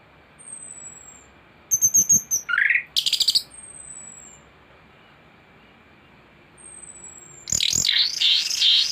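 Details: Master recording of a thrush to tutor birds: a thin high whistle, short clusters of chirps and buzzy notes, then a sustained warbled, wavering phrase at the end.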